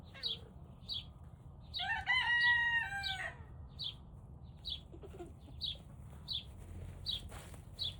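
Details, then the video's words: Turken chicken, a young bird just learning to crow at about 5 am, gives a strained, wavering crow lasting about a second and a half, among short high chirps from small birds. "Turken sounds like dying chicken toy!"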